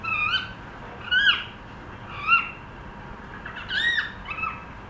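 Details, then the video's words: A cockatiel attempting to sing: a run of clear whistled notes, each bending up then dropping, repeated about once a second with short gaps, and a rougher warbled phrase near the end. "cockateil trying to sing"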